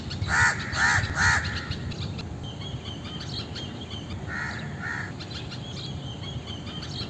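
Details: Indian crow opening with three fast, harsh caws, then two softer caws later, while a thin, high whistle from another bird and light background noise run underneath.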